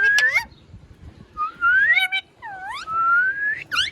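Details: Talking pet ringneck parrot during play; a series of clear rising whistles and swooping harmonic calls, some slurred upward, others dipping then climbing, filling most of the clip with short pauses between.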